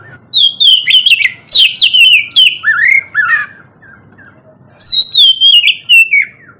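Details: Oriental magpie-robin singing in the morning, used to prompt lazy birds to sing: fast series of loud whistled notes falling in pitch, lower rising warbles, a quiet gap, then another descending whistled phrase.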